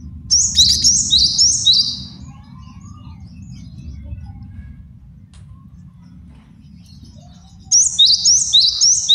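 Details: Male great tit singing as a master song for training and luring birds: a rapid run of ringing high phrases, a long quiet stretch with low background rumble, then the same fast phrase series resumes.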